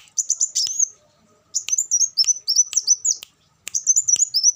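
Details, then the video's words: Olive-backed sunbird singing in three bursts of high, thin, rapid twittering notes, each phrase sliding down in pitch at its end, with short silent gaps between bursts. "suara burung kolibri wulung"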